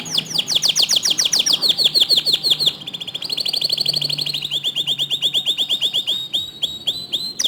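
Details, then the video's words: Canary singing, used to prompt other canaries to join in: strong, rolling trills of quickly repeated high notes in several pitch-shifting series, ending with a few sharp downslurred notes. "Masteran Kicau Kenari Untuk Memancing Kenari Lain Agar Ikut Gacor Dor"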